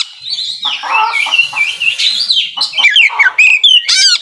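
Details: Oriental magpie-robin in 'nembak full isian' style: continuous, rich warbling of slurred whistles mixed with harsher squawky notes, ending in quick, sharp, repeated bursts of high chirps.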